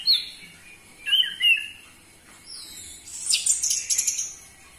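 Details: Orange-headed thrush song for prompting caged birds to sing: a few clear slurred whistles, then a loud burst of harsh, scratchy high notes.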